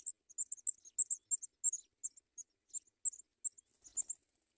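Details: Sprague's pipit bringing food to young at the nest, giving high, thin, squeaky chips in quick, irregular succession, about three a second. A brief soft knock near the end.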